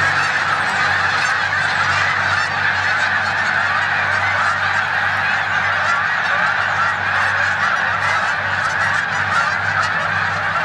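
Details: Snow geese in their final days of rest, gathered with Canada geese in a corn field at Savannah, New York, March 14, 2020; unbroken chorus of many honking geese, with a low steady rumble underneath.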